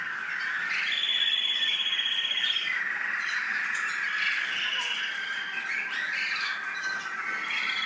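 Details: Caged American singer canary bred in the UAE pours out an extended song: a long clear whistled note, then fast rolling trills and chirpy phrases in rapid succession.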